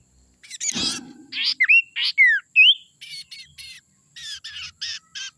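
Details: Young forest sirtu calling, its voice used as a lure for wild birds: harsh squawks, then sharp rising and falling whistled notes, followed by rapid buzzy chirp bursts repeated several times a second.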